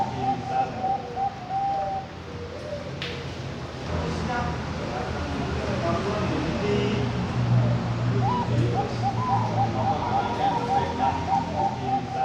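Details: Captive-bred male zebra dove from Kediri, East Java, Indonesia, delivering brief bursts of quick cooing notes at the start and again near the end, separated by a stretch of murmured background noise and low hum.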